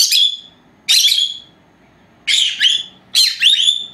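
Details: Two four-month-old female lovebirds, pet birds resting at nap time, give sharp high chirps in four bursts, each a short harsh squeaky note, with quiet pauses between; room otherwise silent.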